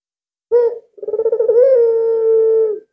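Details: Very vocal albino Barbary dove used as a lure. A single clipped note, a brief pause, then a quavering rolling trill that lifts slightly and settles into a long, even coo.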